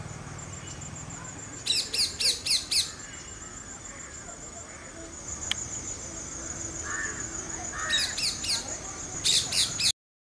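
Alexandrine parakeet giving bursts of four or five harsh, high screeches in quick succession, repeated twice, with a steady high hiss in the background.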